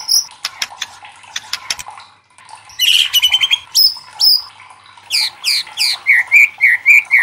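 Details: White-rumped shama singing a loud challenge song used to provoke other shamas into singing: sharp clicking notes, then bursts of rich chattering phrases and a run of repeated downslurred whistles.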